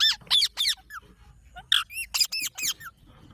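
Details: Green parrot giving a rapid series of harsh, squeaky, high-pitched calls, several short bursts with a slight upward bend. Some notes come in quick pairs and there are brief pauses between the groups.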